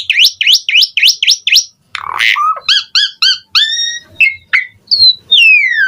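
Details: Asian pied starling in mompa variasi song: six quick upward-hooked notes, a rough squawk, several stacked whistles, then clear level whistles and a long descending whistle at the end.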